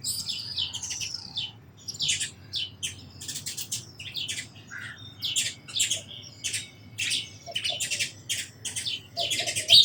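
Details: A dense flock of sparrows chirps continuously with shrill, overlapping high notes in quick pulses, nearly without pause.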